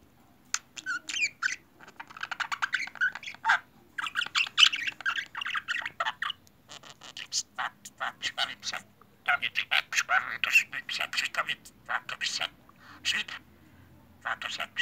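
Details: A talking pet budgerigar under a table chatters in fast scratchy bursts, mixing mimicked speech with laugh-like and kissing sounds.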